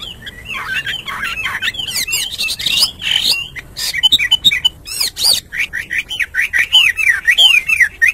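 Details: Hwamei singing each morning: varied whistles and chattering notes at first blur together, then give way to clearer repeated looping phrases in fast succession, with light background noise.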